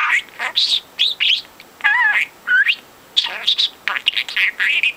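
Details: Four-month-old talking budgerigar that started speaking at two months, voicing imitated words as nasal, ringing syllables with wavy upward slurs, followed by rapid chirpy chatter.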